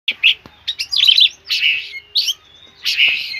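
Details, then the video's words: Oriental magpie-robin singing actively, in loud, vigorous song. Short bursts of rich, slurred, chattering notes follow one another rapidly, with brief gaps and no other clear sounds. "kacer Gacor dor"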